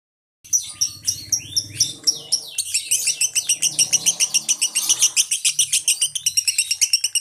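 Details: Lovebird in a chirping, open-beaked singing display, konslet style: dense high chattering twitter with rapid buzzy notes, turning into a fast regular pulsing series near the end.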